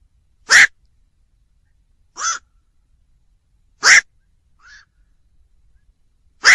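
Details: Black-crowned night heron calling repeatedly, loud harsh croaks every one to three seconds interspersed with softer, shorter hoarse notes and a faint squeak; quiet background.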